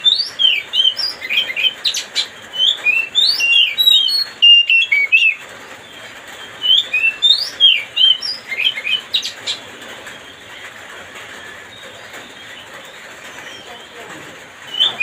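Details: Oriental magpie-robin song meant to stir up another bird: lively run of chirps, slurred whistles and short trills in fast bursts, then a long quiet gap before a final phrase starts.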